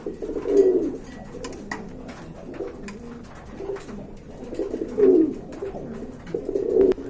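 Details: Pigeons indoors cooing repeatedly, low throaty rolling coos recurring every couple of seconds, with soft clicks, shuffling and faint room noise between them.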